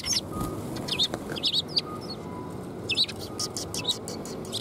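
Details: Sparrows coming to be fed at a Tenmangu shrine, 12 February 2021; short, high chirps in loose clusters over steady traffic-like rumble, with a faint tonal hum.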